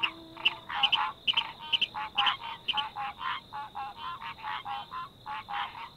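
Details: At night in a freshwater wetland, a Virginia Rail gives sharp staccato 'kick' notes, about two a second, over a breeding chorus of green tree frogs trilling steadily.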